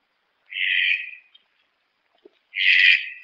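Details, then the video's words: A red-breasted toucan gives two harsh, rasping, hissy notes about two seconds apart, each lasting under a second, against a quiet background. "Canto do tucano-de-bico-verde"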